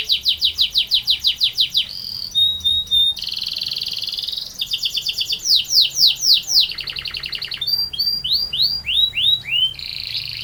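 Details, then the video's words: Canary in continuous long rolling song, changing sections often: fast descending chirps, a buzzy held roll, swooping notes, a low rattling trill and scattered high pips. "Burung Kenari Gacor Ngerol Panjang"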